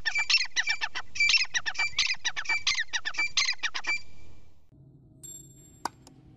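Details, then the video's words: Grey francolin (teetar) giving a loud, harsh, rhythmic series of grating notes in quick clusters for about four seconds, then stopping abruptly; afterwards a quiet hum and one sharp click. "Grey francolin teetar calling - chitra ka awaaz | Teetar ki awaz"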